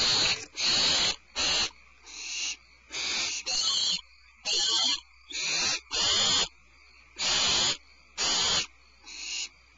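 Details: Barn owls at Starr Ranch, 22 February 2012, while the mother brings a supplemental rat back to the nest. Rasping hissy screeches come in irregular bursts of varied length, some short and clipped and others longer, with brief pauses between them.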